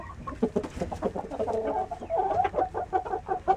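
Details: Saigon green-legged rooster giving quick, choppy clucks that run into a longer, tonal, wavering call in the second half, with faint background noise.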